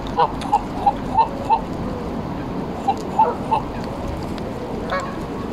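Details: Embden geese being petted and fed at Longton Park, Stoke on Trent, in July: a run of short, soft nasal notes repeated about three times a second, a pause, then a few more, over steady outdoor rumble.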